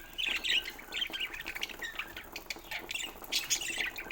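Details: Pet budgerigars at play with a bird toy give busy, scratchy chattering squawks and short chirps, overlapping in quick bursts with little pause, plus faint rustling in the background.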